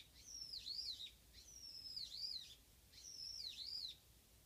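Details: Japanese white-eye, one bird coming alone to a backyard garden, utters three high, thin whistled phrases, each a long note sliding down and back up in a wavy dip, spaced about 1.5 seconds apart over quiet background.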